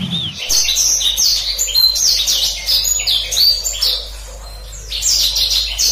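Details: Black-throated canary delivering a lively gacor ngeroll rolling song, meant as a master song for canaries to learn: rapid high-pitched sweeping whistles and trills strung together almost without pause, with a faint low hum underneath.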